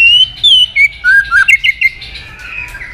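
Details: Female white-rumped shama voice for exciting males into fighting: clear whistled notes stepping downward, then a burst of quick chirps and twitters that fade to a soft trailing whistle.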